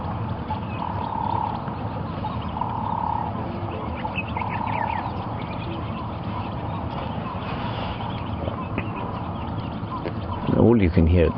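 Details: Ring-necked Dove calling at sunrise on 31 October 2015 during a safari drive: mid-pitched coos in evenly spaced phrases about every two seconds, over a steady low vehicle engine rumble, with a voice briefly at the end.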